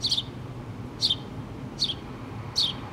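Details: House sparrows, a mother and her two babies at a nest in a pole, filmed 8 March 2017: four short, high chirps spaced under a second apart over a steady low hum of background noise.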